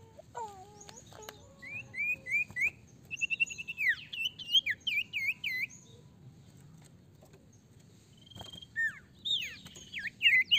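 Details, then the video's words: Sirtu singing nonstop as a lure to get untrained sirtu birds singing quickly: varied high whistled phrases, falling and rising slurs, rapid looping notes in a dense burst, a quiet gap, then renewed loud whistles. "Sirtu gacor ampuh sangat pancing sirtu bahan cepat bunyi"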